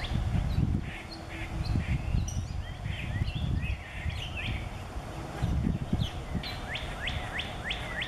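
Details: A male Rose-breasted Grosbeak sings in a backyard on 4 May 2017: a rich, robin-like warble of rising and falling phrases over a steady low rumble, with other birds' quick repeated chirps near the end.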